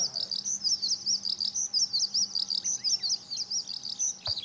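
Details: Eurasian skylark song recorded on a clear 5 June 2013 at the fourth parking lot of Okayama Airport, Japan, with a Lumix compact camera; fast, unbroken high warbling and chirping phrases pulsing several times a second over a low hum.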